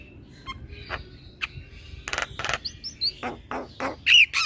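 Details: Lure starling (jalak pikatan) meant to coax a quiet caged starling into song: scattered clicks and chirps build into dense bursts of harsh notes, ending with loud clear whistles.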